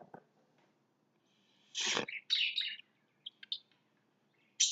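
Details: Lovebirds in their house, working to get rid of everything inside, give a harsh rasping screech followed by sharp high chirps. A few brief squeaks trail off into quiet, and the clip ends on another shrill note.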